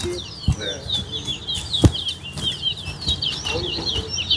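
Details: Towa-towa, or chestnut-bellied seed-finch, competing in a West Coast versus West Bank bird singing contest: busy, high twittering song with quick slurred notes throughout, punctuated by loud thumps and a voice counting numbers.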